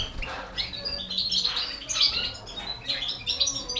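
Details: Balkan goldfinch feeding four baby canaries; short high chirps and squeaky notes come in uneven bursts, several overlapping, with a faint flutter of wings.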